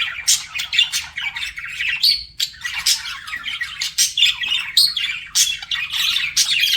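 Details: Flirting budgies chattering in quick scratchy bursts and buzzy chirps, with a clear rising whistle near the middle, the calls tumbling continuously from more than one pet bird.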